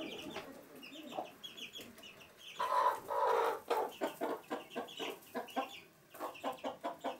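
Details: Brooding hen among chicks indoors at a house in Sandoval de la Reina, April 2016, gives a loud burst of hoarse clucking, then a steady series of short low clucks about twice a second, with faint chick peeps above.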